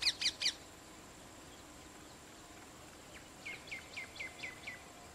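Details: Rose-ringed parakeet, a parent feeding its two chicks: three loud, harsh, rapid notes, then after a pause a softer run of six or seven short descending chirps. Steady faint outdoor hiss underneath.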